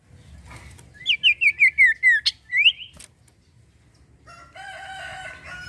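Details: Common iora singing steadily, used as a lure to get untrained birds and birds that have stopped singing to sing: a rapid run of six bright, slurred whistles that step downward, then a rising note, followed by a softer harmonic chatter.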